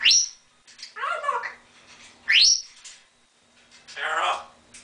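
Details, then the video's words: African grey parrot kept as a pet imitating laughter and duck quacks: sharp rising squeaks alternate with harsh, buzzy, chattering bursts about once a second in a quiet room with faint hum. "My African Grey Laughing and Quacking Like a Duck"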